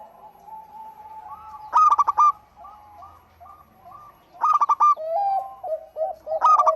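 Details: Singing local zebra dove, recorded to prompt other birds: faint wavering coos lead into three loud rapid-fire bursts of ringing notes, then a few arched coos. Faint low rumble underneath.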